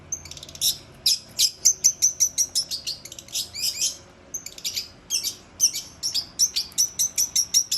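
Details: Long-tailed shrike delivering a fast run of sharp, high chirps, about two to three per second, in two long bursts separated by a brief pause near the middle.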